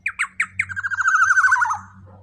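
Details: Black-naped oriole with a loud voice, offered as a lure: four short sharp notes, then a fast wavering buzzy trill that slowly falls in pitch, over a steady low hum.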